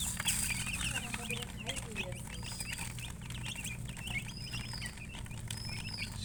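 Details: Chicks chirping in a busy chorus of rapid high peeps, with a person's voice briefly heard and a low steady hum in the background.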